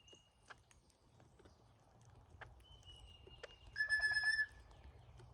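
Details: Migrating cowbirds visiting a feeder: scattered soft ticks and a long thin high whistle, then a loud harmonic, slightly pulsing tone held for about half a second near the end.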